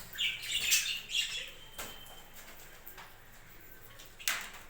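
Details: Farm-kept budgerigars chattering in a loud opening burst of dense, high, buzzy chirps, then quieter separate calls, ending with one sharp bright squawk.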